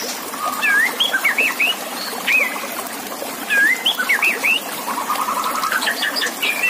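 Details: White-rumped shama song from a master recording for contest birds: wavering whistled phrases with rising and falling notes, separated by short pauses, over steady running water.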